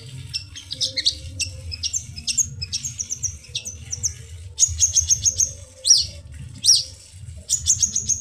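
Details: Long-tailed shrike song used to coax birds that have stopped singing: a fast, varied run of short chirps and clipped notes, then bright high notes repeated in rapid series, over a faint low hum.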